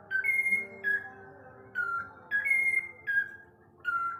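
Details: A whiteface lutino cockatiel (Nymphicus hollandicus) gives clear, flute-like whistled notes in short rising-and-level pairs, repeated roughly every second, in a quiet room.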